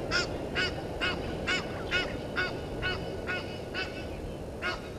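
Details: Egyptian geese at Gowrie dam waterhole, Djuma Game Reserve, Sabi Sand Wildtuin, South Africa, disputing with intruder geese at 17:08: harsh, hoarse honks repeated about twice a second, steady and regular, over constant broadband background hiss.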